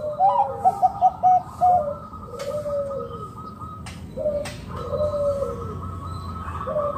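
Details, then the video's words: Local wild zebra dove calling to lure other doves into calling and cooing; low cooing phrases around a rapid stuttering series, then drawn-out coos repeated, over steady background hum and a few sharp knocks. "Perkutut lokal gacor RAJA PIKAT Ahlinya Bikin Semua Burung Perkutut Gacor Nyaut"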